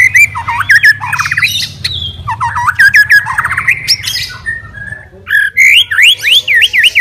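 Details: White-rumped shama known as a fighter murai batu, singing to challenge rivals and make them agitated: varied whistled phrases, harsh squawky notes and rapid trills, closing with rising and falling whistled sweeps, over a steady low hum.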